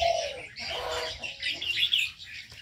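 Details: Many aviary birds calling together: a low descending coo-like note opens, followed by dense overlapping high chirps and twitters, with a few sharp rising whistles near the end.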